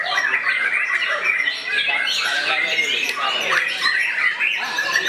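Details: White-rumped shama singing aggressively at a rival: a continuous, crowded medley of sharp chirps, slurred whistles and squeaky notes that stays loud throughout.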